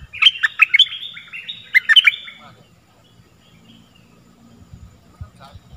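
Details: Stripe-throated bulbul singing for use in teaching young birds and attracting wild birds: two quick, chattering, warbled phrases close together, then near silence with soft low rustling.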